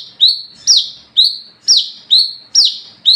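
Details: Olive-backed sunbird at night, a lure recording for calling other wiceh: loud, high, piercing notes alternating between a sharply falling slur and a shorter buzzy tone, about every half second, very regular.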